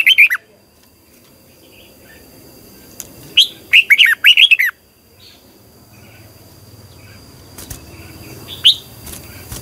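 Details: Red-whiskered bulbul singing in the morning in competitive style, a long, twisting double-voiced song used to train birds. A brief whistled burst opens, then a quick cluster of four or five warbled notes, and one more phrase near the end, with a steady faint high tone behind.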